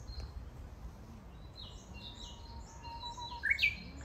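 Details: Japanese bush warbler in a green forest at Kitayama, Kyoto, Japan, June 2022: a faint drawn-out whistle swells into a loud, abrupt ending flourish. Repeated high chirps from other callers sound in the background.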